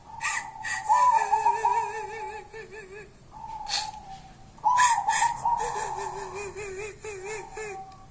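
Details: Zebra dove of local wild stock cooing in the kuntilanak style: long steady mid-pitched coos breaking into rolling, wavy trills, repeated about every four seconds, with brief noisy clicks between phrases.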